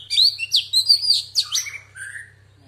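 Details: Female Oriental magpie-robin singing in a wild-bird style, kept as a lure bird: a quick run of bright, varied whistled notes and sharp slurred phrases, ending in lower, softer warbles; steady low hum underneath.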